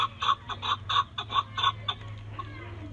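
A chukar gives a run of harsh, clucking chuk notes, about three per second, fading after two seconds, over a steady low hum.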